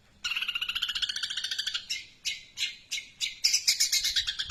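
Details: A long-tailed shrike's long tree sparrow imitation: a fast, rattling trill of rapid pulses lasting about one and a half seconds, followed by spaced harsh chirps and a quick squeaky chatter.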